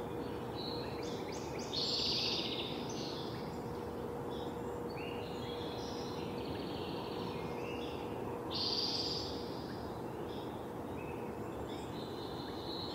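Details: Hungry bald eagle nestlings near fledging at a nest in Delta, British Columbia, 12 July 2020, begging noisily amid wing flapping. Harsh, high, buzzy squeals in overlapping bursts, loudest around two and nine seconds, over a constant low hum.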